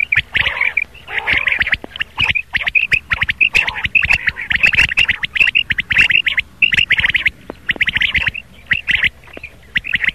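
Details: A chorus of rain quail, played in the morning to lure birds for hunting. Rapid, scratchy high notes crowd together almost without pause, many callers overlapping, with sharp knocks mixed in.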